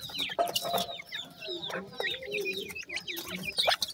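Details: Recently hatched Grey francolin chicks give scattered high downslurred peeps mixed with lower soft clucks and rustling, calling a little less densely than a full chorus.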